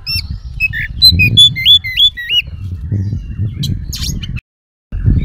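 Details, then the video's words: Oriental magpie-robin song used as a lure to make other magpie-robins respond: a run of clear, sharply rising and falling whistled notes, then brief high buzzy bursts, over steady low rumbling background noise, with a short gap of silence near the end. "kacer gacor full isian pancingan kacer langsung nyaut"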